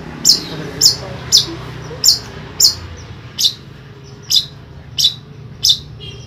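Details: Caged Long-tailed Shrike in Pemalang, Central Java, Indonesia, uttering thin, sharp, very high chip notes spaced roughly every half second to second, evenly repeated over a low background hum.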